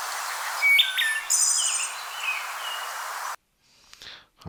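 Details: A wood thrush sings a flute-like phrase of clear whistled notes ending in a high, shimmering trill, singing two notes at the same time with its syringeal muscles; steady background hiss underneath.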